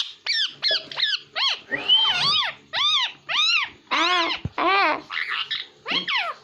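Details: Pet parrot said to speak Hindi, giving a run of loud, arched, harmonic-rich vocal bursts about every half second. Some notes are higher and squeaky, others lower and rounded, with quiet gaps between them.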